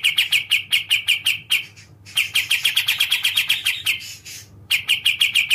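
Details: Sooty-capped bulbul (kapas tembak) with fast rattling bursts of sharp, buzzy chirps repeated in quick succession. Two short pauses split the bursts into three bouts of evenly spaced notes.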